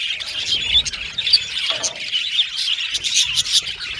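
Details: Several pet Australian budgies sing and chirp at once, a busy high warbling babble with quick sharp whistled notes scattered through it.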